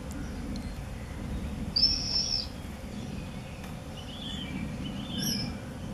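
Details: Common swifts at the entrance holes of observation nest boxes in a house in Beek-Ubbergen, Netherlands, filmed 8 June 2014; one shrill, buzzy high scream lasting under a second, followed by fainter chirps and a brief distant squeal, with low background noise.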